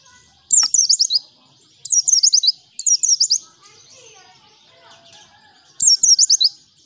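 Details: Lively white-eye (pleci) singing in the ngalas style, a recording used as a lure: four bursts of rapid, very high zigzag whistled notes, each under a second, separated by short gaps with faint twittering in between.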